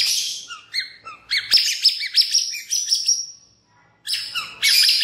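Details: White-rumped shama (murai batu) lure song meant to make other shamas sing, with rich high whistled phrases, rapid slurred notes and trills, a short pause, then a loud burst of dense warbling.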